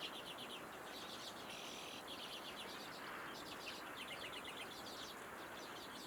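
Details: Common redpoll calling: quick dry rattling chatters of short metallic notes, high-pitched, run in several bursts, with a steady hiss of background noise throughout.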